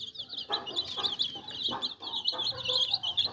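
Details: A flock of chicks cheeps in high, wavering notes, closely packed. Soft dull taps are repeated roughly every half second beneath the calls.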